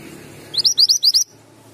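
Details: One quick phrase from a male Mantenan gunung singing actively: five loud, sharply rising chirps in just under a second over a faint low hum.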